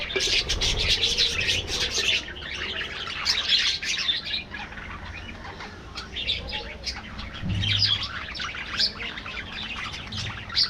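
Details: Colony of budgies kept in an aviary, a constant busy twittering of many birds, rapid high chirps about four per second, with occasional soft low thuds like wingbeats.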